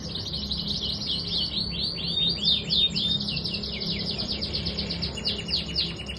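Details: Canary song from a caged training bird, a long fast run of buzzy, downward-sweeping notes repeated about four per second, with trills and rolling phrases over a steady low hum.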